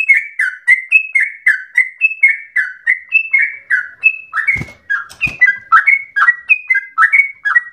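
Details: Yellow-vented bulbul (trucukan) singing a long rapid run that sounds like a straw-headed bulbul: rolling, slurred whistled notes in quick succession, with two sharp knocks midway, then the fluty phrases continue.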